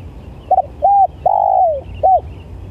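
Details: Spotted dove giving one cooing phrase: a short doubled note, a brief arched coo, a long drawn-out coo sliding downward, then a final short arched note, over faint low rumble.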